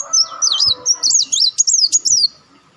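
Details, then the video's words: Olive-backed sunbird call played as a lure to attract birds: a continuous run of sharp, high, swooping whistled notes rising and falling quickly, fading out at the end. "audio pancingan burung madu Wulung/Muncang"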